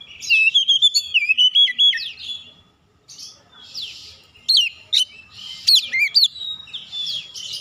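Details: An Oriental magpie-robin gives lure song to trigger singing from other birds, starting with warbled, wavering whistles, then after a brief silence a few abrupt piercing notes and rapid rising and falling whistled flourishes.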